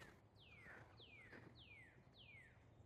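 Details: A male Northern Cardinal by a marshy trail at Argyle Lake gives a run of four clear down-slurred whistles, about two per second, over a steady low outdoor rumble, with starlings in the background.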